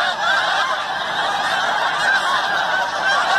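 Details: Snow geese at Forsythe NWR, New Jersey, just before Christmas, the first wave of a flock coming in for the night: a dense, unbroken chorus of overlapping nasal honks and yelps from many birds, steady and loud throughout.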